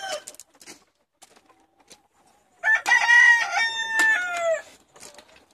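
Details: Chickens, one of 70 being let out for the day in Longford, Ireland, on Thursday 25 February 2016: scattered soft clucks and rustles, then one loud, harmonic crow lasting about two seconds that rises and falls before trailing off.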